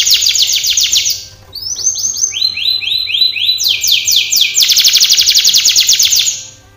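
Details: Canary singing a training song: a fast trill of falling notes, a short dip, stepped tours of rising syllables at two pitches, then a long rapid rolling trill that fades.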